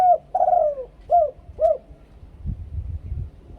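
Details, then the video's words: A spotted dove gives the two-kuk koo-ang luring song prized in Thailand: a short coo, a long falling drawn coo, then two brief hooked notes. Soft low thumps follow in a quiet room-like setting. "นกเขาใหญ่ 2 กุก คูอ่าง เสียงต่อชัดๆ"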